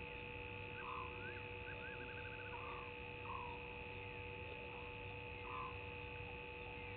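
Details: At 02:40 on 20 March 2019, a barred owlet calls at night beside the Gowrie dam waterhole on Djuma Game Reserve in South Africa's Sabi Sand Wildtuin. It gives a brief series of rapid, evenly repeated rising notes. Lower croaking calls and a constant hum accompany it.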